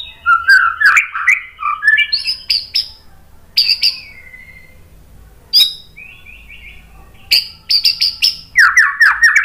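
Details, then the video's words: White-rumped shama song for masteran training: bursts of tumbling warbled notes and short high whistles separated by quiet gaps, ending in a fast chattering phrase. "MASTERAN MURAI BATU biar EMOSI NYAUT jadi GACOR"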